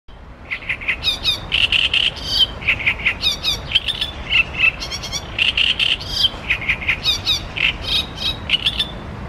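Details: An unseen great reed warbler sings loud, harsh, croaking phrases, each syllable repeated two or three times in an unbroken chattering stream over a low rumble, in reed beds of the river Ebro near Zaragoza, Spain.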